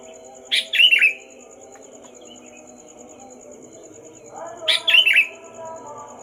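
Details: Sooty-headed bulbul heard before dawn, noisy from 4 am, giving two brief bubbly warbled phrases roughly four seconds apart. A constant droning hum and a soft, rapidly pulsing high tone sit underneath.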